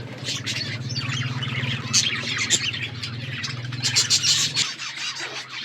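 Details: Budgerigars chirping: a continuous chatter of many overlapping high chirps, squeaks and warbles, busy and irregular, over a steady low hum that stops near the end.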